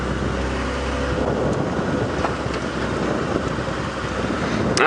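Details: Steady engine rumble from a safari vehicle at sunrise, with no clear animal voice.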